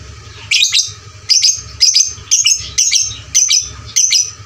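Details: Lovebird sound used to train fighter lovebirds, loud and lively: harsh high chirping bursts in short clusters, roughly every half second, over a steady low hum.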